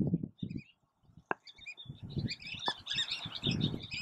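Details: Least tern (Sternula antillarum) at Oso Flaco, May 31, 2019: high, sharp chirping calls come in quick bursts through the second half, over steady low pulsing background music.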